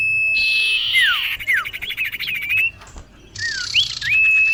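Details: Female common iora calling to a male, as a lure: a long even whistle, a broad harsh rasp with falling slurred notes, a ticking rattle, then looping whistles ending on a level tone.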